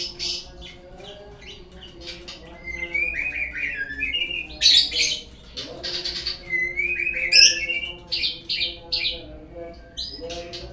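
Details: Shama song played as a lure to make caged birds sing: varied whistles, slurred rising and falling phrases mixed with short harsh bursts and sharp high notes, with a continuous mechanical hum underneath.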